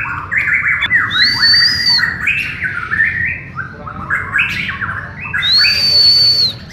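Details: White-rumped shama of the Borneo (Kalimantan) type during a group training session. Its song is a rich, fast run of varied whistled and chattering phrases, with a high, pure, sustained whistle twice. Other birds may be singing too.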